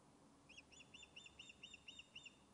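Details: Fish-calling Osprey on its nest at Loch of Lowes, Scotland, returned after being thought lost: a quieter run of about eight high, double-toned whistled chirps at even spacing over a hissy background.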